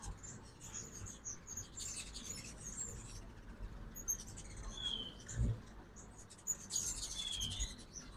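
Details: During the 2024 fall migration, ruby-throated hummingbirds visit a morning feeder in Oxford, Mississippi, giving high, sharp twittering chips in loose bursts. A brief thin whistle and a steady low background hum are also heard.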